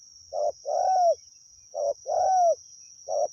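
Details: Wild spotted dove calling during decoy luring: a short coo followed by a long, slightly falling mellow coo, the pair repeated twice in quick succession with light background rustle.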